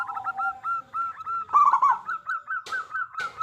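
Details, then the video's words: Local zebra dove, described as loud-voiced and singing freely, used as a lure to prompt other zebra doves to sing: rapid run of short, even cooing notes at a steady mid pitch, with one louder rolling burst and two sharp clicks. "Perkutut Lokal Gacor Suara Besar Pancingan Burung Perkutut Agar Cepat Bunyi"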